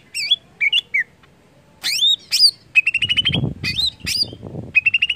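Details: Greater green leafbird singing to prompt other leafbirds to sing: varied bright whistled phrases, some rising steeply, plus rapid trains of clipped high chips repeated in quick series, with soft low thumping noise underneath midway.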